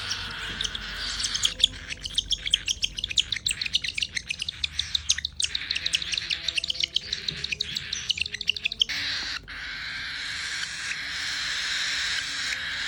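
Cockatiels squabble over food with rapid, harsh chirps and shrill screeches crowding together.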